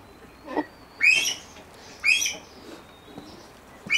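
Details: Elliot's pheasant at a pheasant breeding farm, giving short, high, squeaky notes that slide downward, spaced about one second apart, against a quiet background with a faint steady tone.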